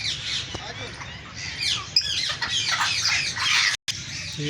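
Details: Constant high chatter of green African parrots: rough squawks mixed with short rising and falling whistles, one brief sharp click and a short gap of silence near the end.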